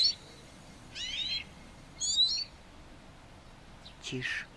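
Eurasian siskin singing short, high twittering bursts with wheezy, buzzy phrases.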